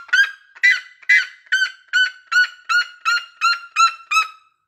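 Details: Red-legged seriema uttering a steady sequence of about eleven loud, nasal, yelping notes, evenly spaced and gradually settling to a level pitch before trailing off.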